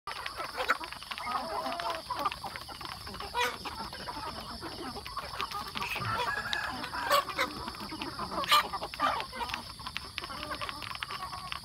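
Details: Chickens feeding on a chicken farm, a dense flock chorus of overlapping clucks and murmurs with occasional louder squawks, over a constant mechanical hum.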